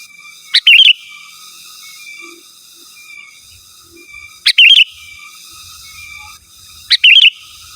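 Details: Sooty-headed bulbul calling rivals with three loud, quick, liquid phrases of rising and falling notes, spaced about two to three seconds apart, over faint steady background whistles.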